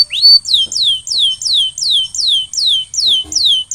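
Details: Canary singing as it recovers from molting: an opening upward slur, then a steady run of descending swooping notes, roughly four each second.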